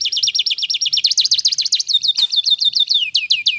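A canary sings a fast, bright run of repeated high chirps and rolling trills, the phrases sweeping downward in quick succession, with no other sounds.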